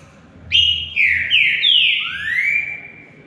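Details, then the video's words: Green-winged saltator in a singing contest between two birds, giving one phrase of loud whistled notes that fall in pitch and end in a long rising whistle. "DISPUTA DE CANTO"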